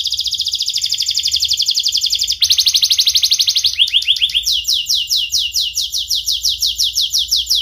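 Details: Canary song serving as a lure to teach young canaries to sing, from a young bird with a sharp voice: long fast buzzy trills, then slower series of rising whistled notes repeated about four per second.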